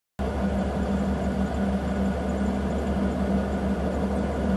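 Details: A vehicle engine idles with a constant low rumble and a steady hum, and no animal call is heard.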